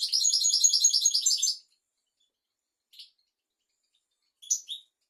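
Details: European goldfinch song for tutoring young goldfinches and canaries: a fast, rolling, liquid trill lasting over a second and a half, then quiet with two brief high chirps.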